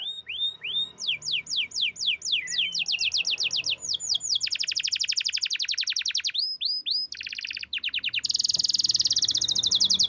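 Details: Champion-class canary singing a long, loud, varied song: high swooping whistles repeated in quick series, then fast buzzy rattling trills and rolling phrases that shift in pitch, with almost no background noise.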